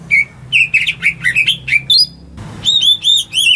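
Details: A house-kept greater green leafbird sings to coax silent birds: varied whistled notes, some warbled and jumbled, then a short gap and a run of rising, harmonic-rich whistles; steady low hum underneath.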